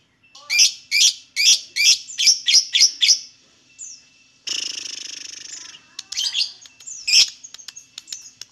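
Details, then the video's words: Lovebird singing, used to coax lovebirds into song: a quick run of eight high chirps, then a dense buzzy chattering stretch and scattered sharp notes. "MANTAB SUARA BURUNG LOVEBIRD, PASTI BUNYI MENDENGAR VIDEO INI.. LOVEBIRD SINGING"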